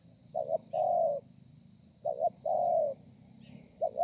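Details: Spotted dove, wild-caught, singing in the 'thổ pha' style on 30 November 2020. Mellow low coos come in pairs, a clipped double note then a long sliding note, repeated about every two seconds.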